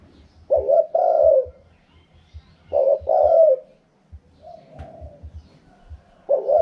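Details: A spotted dove repeats its khaham pa wild-style coo about every two seconds. Each phrase has a quick double note and then a sustained husky coo. A weaker coo sounds between phrases, with soft tapping noises throughout.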